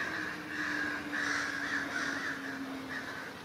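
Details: Several crows mob a great horned owl in woodland, making a racket; loud, harsh, drawn-out caws follow one another almost without pause over a low steady hum.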